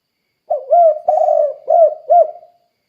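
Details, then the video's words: A single cooing phrase from a steadily calling spotted dove, a lure for other doves: four soft, hollow notes, the second longer and wavering, the last two short and arched, over a silent background. "Suara Burung Tekukur Gacor Kuk 2 Untuk Pancingan Derkuku Biar Cepat Bunyi"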